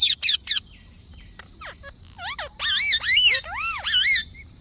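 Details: A talking pet parrot: three quick harsh chirps, a pause, then rising squeaks building into loud looping, speech-like wavering syllables.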